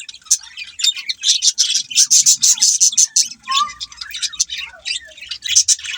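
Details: Several budgies chattering in quick succession, bright scratchy chirps repeated about twice a second, with a short lower whistled slide in the middle and steady rapid warbling throughout.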